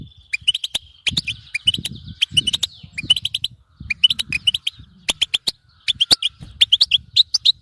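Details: Goldfinch (European) in bitbita chatter for encouraging another goldfinch to sing: steady run of twittering chip groups, bright and metallic, broken by sharp clicks and low muffled bumps.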